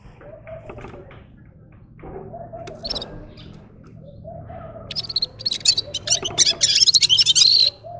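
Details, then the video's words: After several seconds of low murmuring background sounds, a red-fronted serin breaks into a bright, high, rapidly repeated jingling trill lasting almost three seconds. "Gulsir Singing (Seriniis pusillus) Пение Птицы (Yurok Qushi Red-capped signing) G'ir-G'ir"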